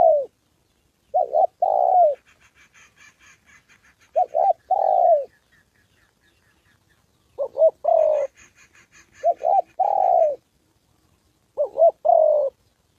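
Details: A decoy spotted dove practises calling in Gia Lai, Vietnam, on the 2 September holiday, encountering a wild bird and a female. Bursts of doubled coos are separated by pauses, and quiet clicking and high chirps come between them.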